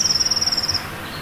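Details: Eurasian blue tit at a nest hollow in a spring forest and garden, early April, calling loudly to mark its territory. A single high, even trill of rapid pulses lasts under a second, then fades to quiet.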